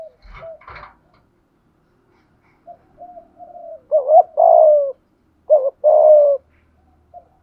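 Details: Spotted dove calling in the 'thúc gù' coo: after a few faint rustling sounds, soft low murmurs lead into two loud phrases of quick hoots ending in a drawn-out coo.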